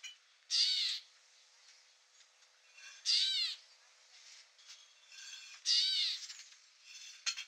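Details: Wild Gray Catbird at Newman Lake in Washington, USA, repeating a coarse, nasal mewing note three times, about two and a half seconds apart, with faint ticking sounds between calls and a short sharp note at the end.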